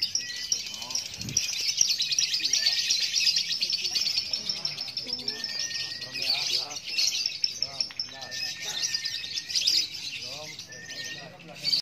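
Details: Long 'ngekek' chatter from a champion lovebird at a competition in Klaten, Indonesia: continuous high, rapid, rattling trill nearly twelve seconds long. Brief flat whistles and distant crowd talk are mixed in.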